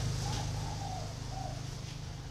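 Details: Spotted dove kept in a cage, with a second bird in an iron cage nearby, utters faint, hollow low coos in mid-clip, partly masked by a strong low rumble like passing traffic.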